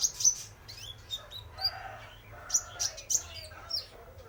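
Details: High, sparkling chirps and rapid twitters from a male spotted konin sunbird used as a lure, loud and frequent, with softer mid-pitched chatter between them.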